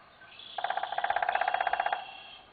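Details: Common flameback (Common Goldenback, Dinopium javanense) in Singapore Chinese Garden on 2 June 2017, giving a rapid, even rattling trill of about eighteen notes in under a second and a half, steady in pitch, over a faint high whine.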